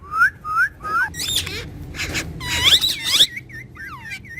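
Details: Pair of pet talking parrots: three rising whistled slurs, then harsh buzzy squawks with many overtones, ending in short repeated wavering whistles.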